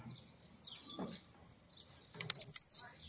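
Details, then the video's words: Blue-black grassquit kept in captivity, coming out of molt, giving one fast high buzzy song burst near the end after thin high notes, with faint regular ticking in the background. "tiziu d casa,trincadeira e velocidade"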